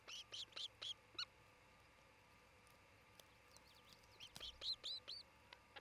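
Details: Nesting osprey pair by treetops in Charlo, Montana, on nest camera, 27 June 2018; short bursts of high, thin whistled chirps, a few at the start and a livelier cluster near the end, separated by quiet background.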